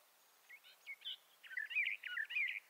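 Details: Bendire's thrasher song, bird of the southwestern United States and northwestern Mexico: short scratchy notes, then a louder run of warbled, slurred phrases around the middle of the range, quiet background.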